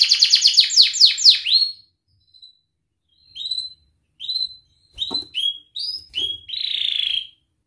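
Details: Canary training song for young birds learning to sing. A quick series of sweeping chirps is followed by separate short whistled notes and a final buzzy note.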